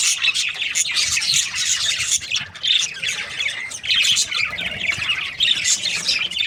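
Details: Budgerigars in breeding season, a flock chirping together: dense, overlapping high warbles and squawky chirps running without pause, with brief dips in loudness near two and a half and four seconds.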